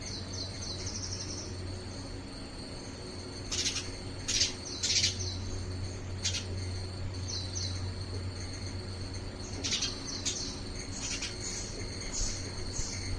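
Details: House sparrow examining an artificial coir nest at a house in India, looking whether to adopt it: bright chirps and short high twittering phrases, scattered irregularly, with a low rumble in the background.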